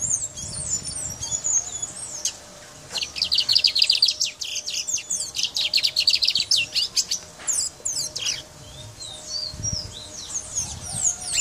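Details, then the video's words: A brown mustache finch from Guyana sings a fast, high twittering song of rapid buzzy trills and sharp chirps, with a few thin whistled notes before and after. "Brown Mustache Singing"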